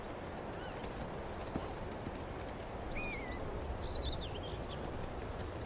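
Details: Northern lapwing call, the kind heard in winter from flocks of these vocal, noisy birds: a few thin, wheezy, slurred calls, one falling and then a wavering pair, over a steady low rumble of wind.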